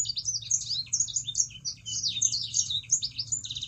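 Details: Sangihe shrike-thrush singing a fast, bright string of high chirps and whistled squeaks with no break, intended to lure other birds of its kind into song; low hum present throughout.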